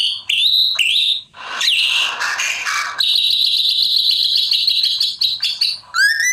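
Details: White-rumped shama in full song: sharp whistled notes and a harsh rasping burst lead into a long, fast, even trill held for over two seconds, ending with bright upslurred whistles.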